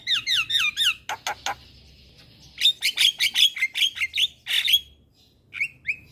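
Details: Very vocal Javan myna, a lure to make young birds sing along: opens with repeated downslurred whistles, sharp clicks, a steady buzzy hum, then a fast run of chirps and whistles ending in sparse upslurred notes.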